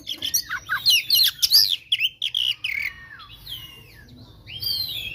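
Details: Oriental magpie-robin in aggressive 'tarung konslet' song, used to make rival birds angry quickly; a fast tumble of mixed chirps and whistles, then slower, softer, drawn-out downslurred whistles.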